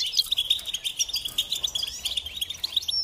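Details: Goldfinch singing in rapid, evenly spaced twittered notes, several per second, with tinkling high accents over a continuous high chirping backdrop.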